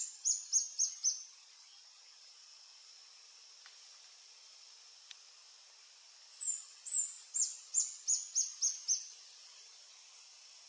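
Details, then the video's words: Reddish Hermit (Phaethornis ruber ruber), adult male on a lek in French Guiana, afternoon of 1 March 2024: a short burst of four shrill, high squeaks, a long quiet gap, then a longer run of rapid piercing notes. "Reddish Hermit (Phaethornis ruber ruber) male singing on a lek"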